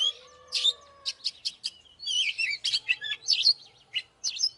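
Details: Oriental magpie-robin in a fighting context, fast scratchy and whistled notes in short clusters after a brief pause, with a faint hum in the background.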